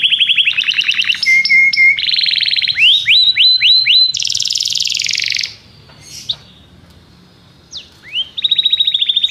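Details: Varied song of a Belgian canary: rapid trills, rising slurred whistles, a buzzy high section, a quiet gap with scattered sweeps, then a renewed trill.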